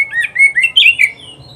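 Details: Oriental magpie-robin (kacer) from an Indonesian training recording for pet birds: a rapid run of five clear, slurred whistled notes, rising then falling in pitch, over about one second.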